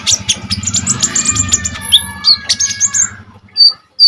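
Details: Common iora singing energetically as training material for other songbirds; high chirps and whistled slurs over a low rumbling background hum that fades midway, followed by two clear upward whistles.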